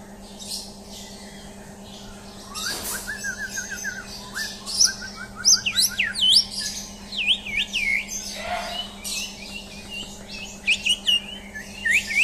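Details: Champion white-rumped shama under a mental test, starting quietly after a sharp knock, then building into varied, high whistled song with swooping, looping notes and quick trills through the second half, over a constant low hum.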